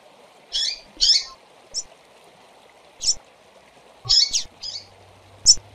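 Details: Calling female double-collared seedeaters, a recording to stimulate birds, with about nine chips and buzzy notes in irregular bursts and a low hum late on.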